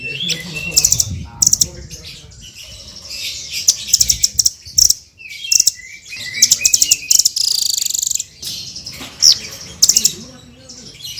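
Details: Srindit, a hanging parrot, singing continuously as a tutor recording for other songbirds: repeated bursts of shrill high rapid ticking trills mixed with thin squeaks and short whistles, pausing briefly between phrases, with soft low background noise.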